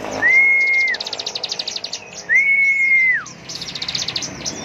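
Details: Bar-winged prinia (ciblek) singing in the ngebren style: two long smooth whistles, each level then dropping, alternating with fast, even rattling trills of high notes; a man speaks Indonesian nearby.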